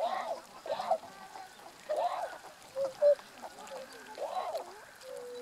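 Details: Tundra swan flock of adults and a juvenile on 1 January 2014, giving repeated hoarse, arched bugling honks roughly once a second, mixed with short level piping notes and a final drawn-out tone.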